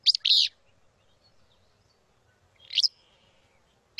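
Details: Southwestern Willow Flycatcher, an endangered bird of cottonwood-willow riparian habitat with flowing water along the Lower San Pedro River near the U.S.-Mexico border, arriving mid-May to nest, gives a sharp, sneezy, buzzy burst, then about two seconds of quiet before another similar burst.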